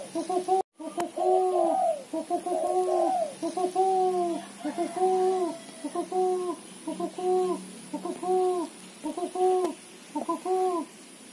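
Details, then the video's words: Female spotted dove calling, used as lure audio: short bursts of low, hollow, throaty notes in quick chattering runs, about one burst a second, over a faint steady high whine. "suara tekukur betina gacor ketrekan / derkuku betina gacor cetrekan"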